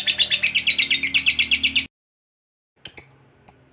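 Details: Lovebird chattering trill, used as a prompt to set other lovebirds singing: a fast, high, pulsed rattle of about two seconds, followed by a short silence and two brief sharp chirps.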